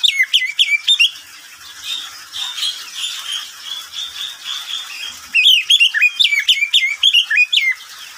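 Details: Caged pet oriental magpie-robin singing in the middle of the day: fast bursts of sharp, varied whistled notes leaping up and down in pitch, a softer rambling warble in between, then another loud rapid run of whistles to close.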